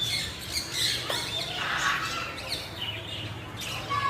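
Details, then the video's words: Grey parrot giving harsh, raspy squawks with a short whistled note near the end, over steady background noise and faint speech. "African Grey Parrot Sounds"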